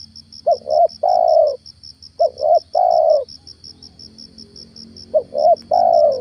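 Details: Three cooing phrases from a spotted dove used as a lure in morning trapping, each two short notes followed by a long soft coo, spaced about two seconds apart. An insect pulses steadily on a high pitch, with a low rumble.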